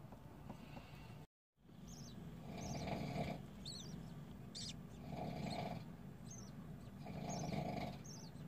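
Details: Newly hatched budgerigar chicks giving raspy, hissing calls in pulses roughly every two seconds, each burst lasting about a second, with thin high chirps scattered between them and a short dropout near the start.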